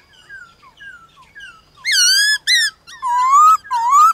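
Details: During a morning contest with wild birds, a white-cheeked laughingthrush gives soft falling notes, then long, loud, drawn-out whistles that rise gently at the end.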